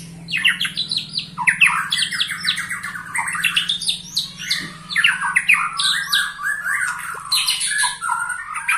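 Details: A 21-year-old white-rumped shama singing a dense, loud, continuous medley of rapid chattering, squawky phrases and sharp sweeping notes, with a low steady hum underneath.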